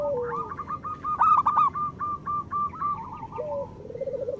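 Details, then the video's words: Local zebra doves cooing together to spur lazy birds: a steady train of clipped notes, a loud burst near the start, and lower level coos at both ends. "Perkutut lokal gacor Masteran Perkutut Suara Kristal"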